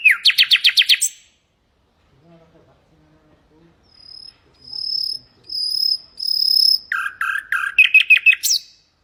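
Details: Common nightingale song, Hasaniya style, meant for tutoring goldfinches and canaries; opens with a fast rattle of about eight notes, falls quiet, then thin rising whistles swell before a rapid chattering run ending in an upward sweep.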